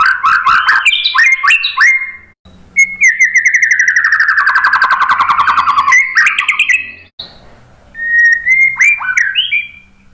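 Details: White-rumped shama singing, played to coax other shamas into song: quick varied whistles, then a long buzzy slurred note sliding downward, ending with rising whistled flourishes.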